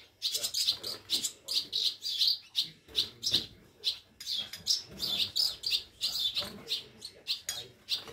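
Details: Several swallow chicks fallen from nests, hand-reared at a German rescue station in Scharzfeld, summer 2022, clamouring at feeding time: loud, scratchy high-pitched chirps pulsing about twice a second, calls overlapping almost continuously.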